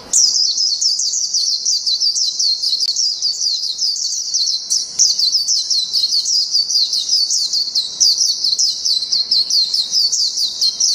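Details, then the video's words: Japanese white-eye delivering a long ngalas-style song: an unbroken, very high, fast-tumbling stream of twittering notes, energetic and slightly scratchy, lasting the whole eleven seconds without a pause. "PLECI NGALAS JAPAN NGALAS PANJANG"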